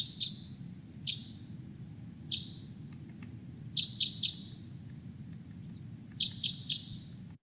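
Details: Crossbill giving its hard, far-carrying metallic 'glip' call, often delivered from on high or in flight, harder and stronger than a chaffinch's call: singly and in quick bursts of two or three, about a dozen notes, over low background hum.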